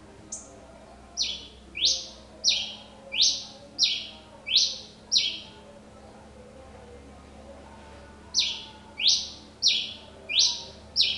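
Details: Pileated finch (tico-tico-rei-cinza) singing persistently: bright, loud descending whistled notes sweeping down, repeated about every 0.6 seconds in a series of six, a pause, then five more; quiet background hum.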